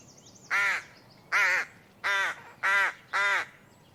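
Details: Rook (Corvus frugilegus), call.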